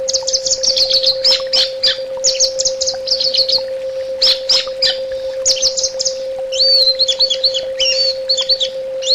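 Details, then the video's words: Orange-headed thrush in full song on a bird-therapy track. Dense, rapid phrases of high twittering and trilled notes pour out almost without pause, ending with sweeping slurred whistles. A faint hum runs underneath. "SUARA TERAPI BURUNG ANIS BATA"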